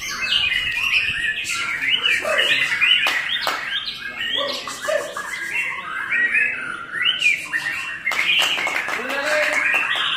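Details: White-rumped shama, a bird named Akar Langit, singing a loud, varied song of rich whistles, slurred rising and falling phrases and sharp clicking notes, delivered continuously with hardly a pause.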